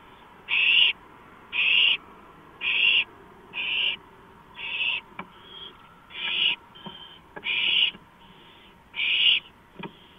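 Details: An owl on a porch at 2:05 AM on 5 April 2015 gives a rapid run of harsh hisses, about one a second, with softer fainter hisses and a few sharp clicks in between, over steady hum.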